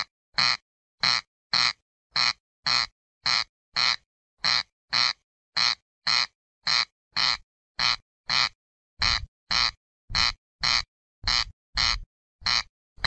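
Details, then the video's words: Long run of corncrake calls: about twenty-three grating, rasping notes delivered steadily at roughly two per second, with a clean, quiet background. "صوت مرعه الغيط Cerx cerx sound"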